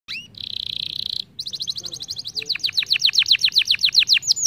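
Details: Canary singing a lively lure song meant to prompt other canaries to sing: a rapid buzzy trill, then fast repeated downward-sweeping whistles at a quickening pace, all high-pitched and clear.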